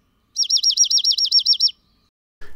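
A Dark-eyed Junco sings a quick, musical trill of about ten high, bell-like notes on one pitch, ending with a soft thump.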